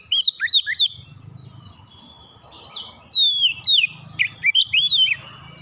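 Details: Oriental magpie-robin call used as therapy sound: rapid series of loud whistled downslurs and sharp chirps, a brief pause, then another quick burst of sliding notes, with low rumbling noise beneath.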